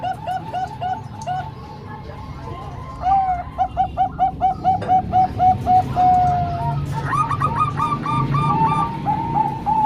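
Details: Zebra doves, three Bangkok-type and one local, combined to train young birds: quick stuttering coos give way to a long evenly paced series of soft coo notes, then a higher bubbling run and a level drawn-out coo.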